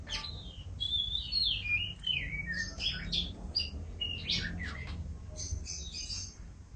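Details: Champion canary, described as a chatty, prolific singer, delivers a varied song of short whistled and chirping notes, some rising and some falling, in quick irregular bursts over a steady low hum of background noise.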